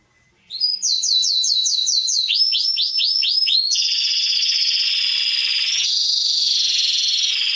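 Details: Canary singing for young birds to learn from: after a quiet start, clear rising-falling whistled notes repeat in quick series, then merge into a sustained, rich high rolling trill.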